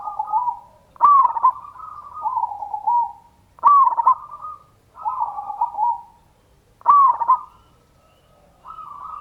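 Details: A local zebra dove sings the ngayer kerot nutut lure song used to spur other doves into singing. Loud struck trills followed by descending mellow coos repeat three times, roughly every three seconds, with a fresh coo at the end.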